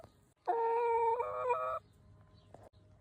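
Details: Free-range backyard chicken giving one drawn-out nasal squawk, about a second and a half long, stepping up in pitch partway through, then quiet background.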